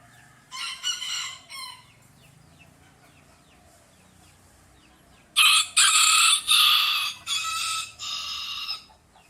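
A rooster crows twice, the second crow loud, long and broken into harsh, ringing syllables.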